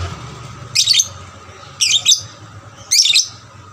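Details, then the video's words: Young lovebird singing eagerly, used as a lure to stir other lovebirds into more frequent song; three short, high, rasping chirp bursts spaced about a second apart over a low indoor hum. "pancingan lovebird paud rajin bunyi... merangsang lovebird lain lebih gacor"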